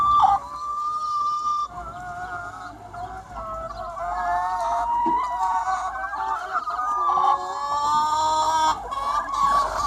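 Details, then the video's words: Chickens of a free-range flock on a sunny spring day, giving long, level, harmonic drawn-out calls that overlap into a dense, droning chorus with occasional short clucks. "Chicken Sounds 1 Hour - Chicken Sound Effect"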